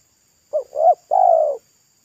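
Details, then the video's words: Roadside wild spotted dove singing in the thick, loud pesom style: two short rising coos followed by one long, even, slightly falling coo, with a clean quiet background. "TEKUKUR LOKAL RASA PESOM GAGAL JERGOT ‼️R3S1KO MELAMAN DIPINGGIR JALAN"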